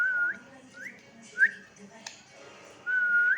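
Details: Pet parakeet, fourteen years old, whistling along with people in imitation of their whistling: a few clear mid-pitched whistles rising at the ends, one long flat note closing the sequence, a faint click in a quiet room.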